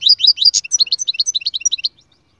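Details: A goldfinch sings in quick succession, giving about twenty sharp, rising, tinkling notes in under two seconds with a brief click near the start. The recording is clean, with no other sounds.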